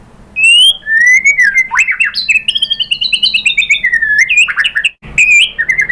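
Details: Lure song of a white-rumped shama: a rich, continuous run of whistled slurs, rattles and mimicked-sounding notes, briefly breaking before resuming with higher and lower whistles.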